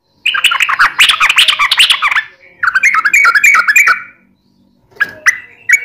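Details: Yellow-vented bulbul singing actively in the long 'ropel panjang' style, used as a lure to make other bulbuls answer: two dense bursts of bubbly, chattering warbled notes, a short gap, then a few sharp clear notes.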